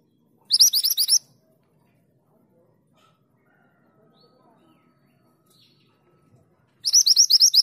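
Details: Female mountain mantenan calling to the male: two bursts of about eight very high, quick upslurred notes, each burst lasting well under a second, separated by several seconds of near silence.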